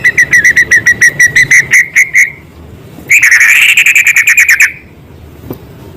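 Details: Vigorous white-rumped shama song with filler material of small-bird sounds: a steady series of short whistled notes repeated about three per second, then a louder, harsher run of rapid notes, ending in quiet.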